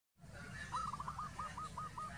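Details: One of a pair of zebra doves gives a quick run of about eight soft, rounded cooing notes, evenly spaced, over a steady low rumble.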